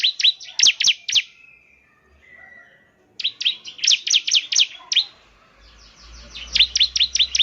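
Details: Bar-winged prinia song used to coax a caged bird into singing: bursts of sharp, high chirped notes in fast repeated runs, broken by short pauses and a faint low hum.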